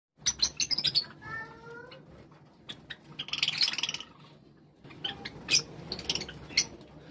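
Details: A flock of Java sparrows (Padda oryzivora) gathering together, giving sharp high chips and clicks in bursts, with a short run of soft rising whistled notes early on.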